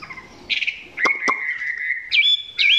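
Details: Chinese hwamei recorded up close, singing not yet at full intensity: a short buzzy burst, then sharp clicks and a long steady whistle ending in rising, looping whistled notes.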